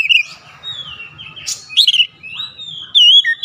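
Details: Kacer, or oriental magpie-robin, kept in a cage, singing to challenge a rival: sliding whistles and buzzy bursts ending in a loud drawn whistle with a short falling note.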